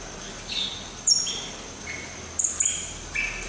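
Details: A captive Madagascar partridge at a zoo in Dvůr Králové, Czechia, gives about six thin, high, short whistled notes, some sharp and very high, others slightly falling, at an irregular pace over soft hiss.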